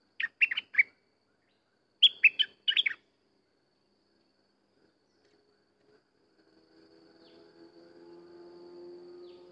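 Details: Two rapid bubbly phrases from a sooty-headed bulbul, each made of four or five clipped notes, close together at the start, then quiet with a faint hum creeping in.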